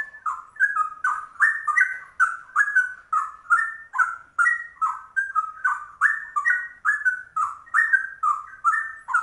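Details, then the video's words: Straw-headed bulbul, a rare bird, singing its trucuk song: loud, rich, bubbling warbled phrases of liquid whistles, sweeping up and down, delivered in rapid bursts roughly once a second throughout, with no other sounds. "Trucuk langka ropelannya cucak rowo"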